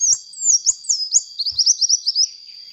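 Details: Sunbird singing vigorously for luring: a few long descending whistled slurs, then a fast run of clipped high chirps. A continuous high background tone runs throughout, with light tapping.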